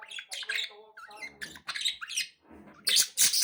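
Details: Three pet budgerigars chirping: quick bright chirps and harsh squawky notes tumbling over each other, ending in two loud, rasping bursts.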